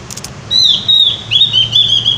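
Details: Javan white-eye singing in the energetic, clear gacor ngeplong style: long, high, pure whistled phrases that waver and dip slightly, sustained for nearly two seconds with barely a break.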